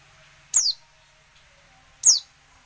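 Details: Two clear high whistled notes, each sliding steeply downward about a second and a half apart, from a female oriental white-eye calling to make quiet males sing.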